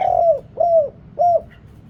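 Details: Spotted dove used as a deep-voiced decoy for wild birds; three low, rounded coos, the first longest and each falling at its end, spaced about half a second apart.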